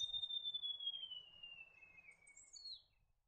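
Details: A White-throated gerygone gives a falling, silvery trill that glides down in pitch for about two seconds, followed by a short higher note, over a soft hiss of background noise.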